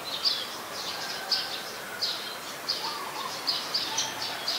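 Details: Ashy woodswallow in Ubon Ratchathani, Thailand, on 14 December 2019, giving short, high chirping notes about once a second over a steady background hiss.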